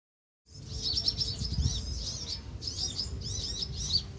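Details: In a Van Hasselt's sunbird colony on Pulau Perhentian, Terengganu, Malaysia, in June 2017, several birds seem to give high, thin, sharp chirps at once in quick overlapping bursts, over a steady low rumble of wind or surf.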